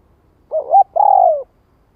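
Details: Spotted dove cooing in the '2 hậu lỡ' style, used as a lure to train newly caught birds: a short wavering note, then a longer, steady coo that falls at the end. The background is quiet.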